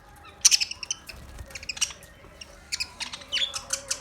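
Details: Pet budgerigar chattering in a quiet room: quick high chirps, clicks and scratchy warbled notes in uneven bursts, busiest at the start and end.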